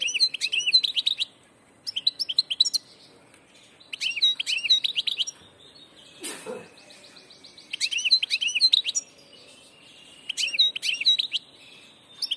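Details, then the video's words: European goldfinch hybrid repeating lively phrases of rapid, tinkling twitters and rising chirps roughly every two seconds, with soft buzzy trills between phrases and a single brief thump midway. "jilguero del paso"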